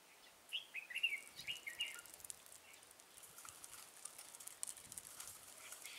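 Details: Red-whiskered bulbul trapping with a decoy in Thái Nguyên, Vietnam, 13 August 2018, targeting an old wild bird; a run of brisk whistled warbles in the first two seconds, then rustling and pattering noise.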